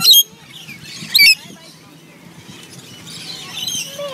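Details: Wild rainbow lorikeets gathered at food bowls during a sanctuary's morning or afternoon feeding; two loud, harsh screeches in quick succession open the recording, then softer background chatter from the flock.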